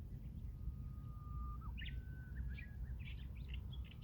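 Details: Japanese bush warbler singing among other birds: a long, steady whistled note held for about a second and a half, then a quick rising-falling flourish, followed by scattered chirps of other birds over a low, constant rumble.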